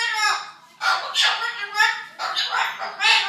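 A cockatoo imitates a quarrel in three harsh, raspy, speech-like bursts with rising and falling inflection, separated by short pauses.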